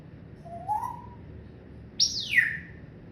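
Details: Pet parrot vocalising indoors, its repertoire including laughing, talking and coughing: a soft rising whistle, then after a pause a loud, high note that sweeps steeply downward in a drawn-out squawk.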